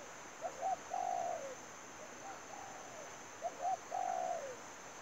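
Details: Coo phrases from a spotted dove kept as a trapping lure: short double note, then a drawn-out, trembling coo falling at its end. A quieter similar phrase sits between two loud ones, with a background electrical hiss.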